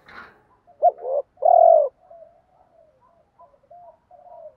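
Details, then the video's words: A 'kích bổi' cooing phrase from a spotted dove: a clipped double coo and then a drawn-out mellow coo. Weaker murmured coos trail afterward, and a brief rustle sounds at the start. "Tiếng chim cu gáy Thúc gù gáy kích bổi"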